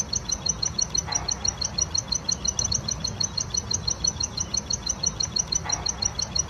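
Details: Wild plain prinia singing actively: a fast, steady series of high, thin chirps, about three every second, with a faint low rumble of background noise.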